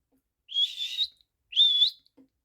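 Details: A male pet Monk Parakeet whistles on its owner's request: two high, slightly rising whistles with a rough, breathy edge, each about half a second long and a second apart.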